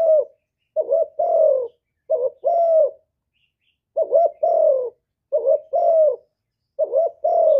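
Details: A spotted dove in the hạp bổi voice style sings a full song of calling, urging and cooing, recorded live with no background noise; six mellow two-note coos with a brief hooked opener and long sliding second note, in quick groups.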